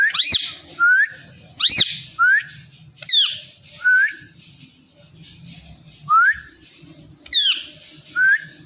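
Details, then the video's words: A female Indian ringneck (rose-ringed parakeet) makes natural sounds: clear whistles, sharp rising-and-falling squawks and short upslurred whistles, about one every second, over a low background hum. "Ringneck Female Making Natural Sounds"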